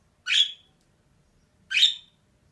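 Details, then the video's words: Female budgerigar calling: two short, harsh chirps about a second and a half apart, each a brief noisy burst dropping slightly in pitch, in otherwise quiet surroundings. "DİŞİ MUHABBET KUŞU SESİ"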